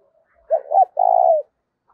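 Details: One phrase from a spotted dove decoy in 'giọng thổ' style, used for luring wild doves: two rounded rising-falling hoots, then a steady prolonged coo fading away. Quiet background.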